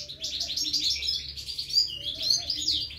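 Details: European goldfinch nestlings being fed: two bursts of rapid high shrill chirping, each about a second long, separated by a short lull, with quiet faint tones below.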